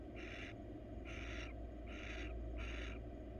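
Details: Attention-seeking female barn owl, wild, in a research nest box: four rasping hiss bursts, each about a third of a second, over a steady low hum.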